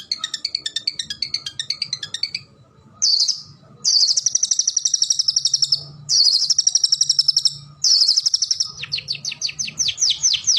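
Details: Varied gacor song of a cendet, the long-tailed shrike of Indonesia: a buzzy pulsed trill, a short harsh burst, long dense high trills, then a rapid string of sharp falling notes.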